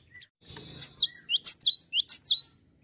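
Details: Java sparrow calls used as a lure to prompt other birds to sing: a rapid series of about eight high, sharp chirps, each with a bent, swooping shape, coming in a quick even run after a soft rustle.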